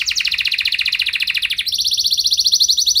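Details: Lure song of a canary meant to make other canaries answer: a dense buzzy trill of rapid repeated notes, abruptly switching to a higher, thinner, evenly pulsed trill.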